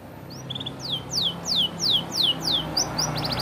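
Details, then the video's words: Canary in competition-grade form singing in the isian style, with evenly spaced high downward-sweeping whistles repeated about three times a second, ending in a few rapid buzzy notes over a faint low hum. "BURUNG KENARI AF PRESTASI GAYA ISIAN DURASI JOSS"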